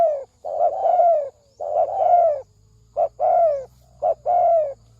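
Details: Cooing spotted dove used as a lure for males and females, 'thổ sấm đồng' style: two long slurred coos then two short-long pairs, each ending in a descending tone.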